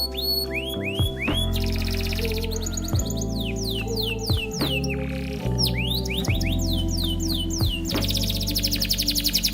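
A canary sings fast, rolling trills and quick swooping whistles that rise and fall in rapid bursts, over a steady bed of background music.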